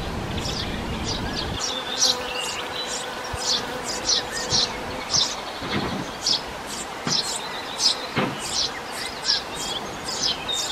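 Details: Eurasian tree sparrows (Passer montanus) at the nest with young give a dense run of short, high, scratchy chirps, several each second, with a low rumble at the start and a faint steady hum.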